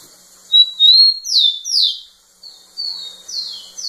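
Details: Male rufous-collared sparrow singing insistently to a female: two thin whistled notes rising into loud down-slurred whistles, then a quieter repeated series of descending slurs.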